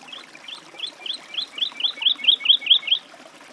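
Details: Woodlark singing a single phrase of about a dozen clear, liquid notes that swell in loudness and speed up slightly, each note a short upward-curving whistle, over quiet natural background.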